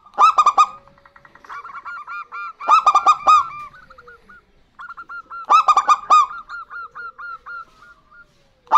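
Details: Female and male local zebra doves calling back and forth. Three bursts of quick, resonant staccato coos come roughly every two and a half seconds, each followed by a string of softer, evenly spaced hooked notes.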